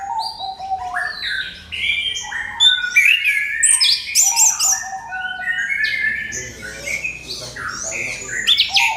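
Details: An orange-headed thrush sings a provoking lure song: a dense, unbroken torrent of varied whistles and chattering notes, rapidly changing pitch for nine seconds.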